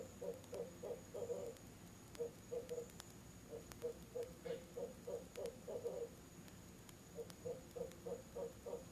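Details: Barred owls, a bird and its mate, hooting together at a nest box on an October 18 evening outside the season; clustered bursts of fast, mid-pitched hoots repeat in several groups across the stretch.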